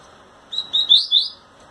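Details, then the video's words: Caged male double-collared seedeater singing to a female with trembling wings, giving a short run of four bright, high chirped notes rising slightly in pitch, in a quiet indoor setting. "COLEIRO PARDO CANTANDO E TREMENDO ASA PRA FÊMEA"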